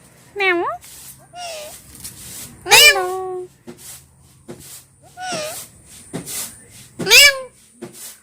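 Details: Pet talking parrots chatter indoors in a run of short rising and falling harmonic syllables, with several strong shrill bursts spaced about two seconds apart and fainter clicks and noises between them.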